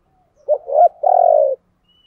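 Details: Decoy spotted dove used to lure wild birds. It gives one coo phrase: two quick rounded notes rising into a long, steady, throaty coo that fades out abruptly.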